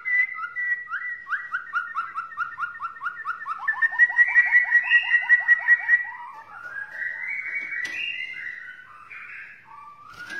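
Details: White-rumped shama from Borneo delivering a long, varied whistled song: a steady series of repeated downslurred notes that speeds up and grows louder, then shifts into rich warbled phrases and sharp clicks.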